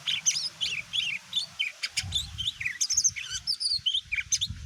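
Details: Greater green leafbird used as a lure to provoke other birds into responding: rapid, varied high whistles and twisting chirps tumble almost continuously, with sharp clicks mixed in and a low hum underneath.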